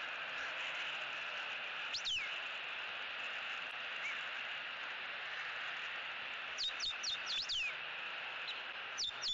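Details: Eagles at a Southwest Florida nest, filmed by cameras on October 6, 2017 during nest restoration and bonding: thin, high chirps sliding downward, one near two seconds, then a quick run of four or five, over a steady loud hiss.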